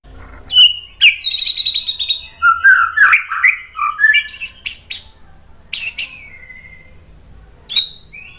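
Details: White-rumped shama song: varied phrases of loud whistles and rapid buzzy trills, sliding notes dropping and rising, with short pauses between bursts and sharp clicking notes.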